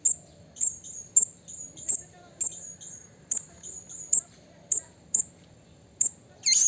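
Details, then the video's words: Wild blue-crowned hanging parrot calling out to a rival, giving sharp, very high chirps repeated roughly every half second over a quiet background hum, with a rising squeal at the end. "Suara Burung Serindit Memanggil Lawan Alam Liar"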